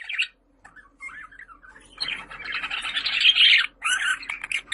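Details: Budgerigar warbling in a long, continuous, gurgling chatter of mixed squeaky and rasping notes that rises in loudness toward the end, with a faint hum in the room.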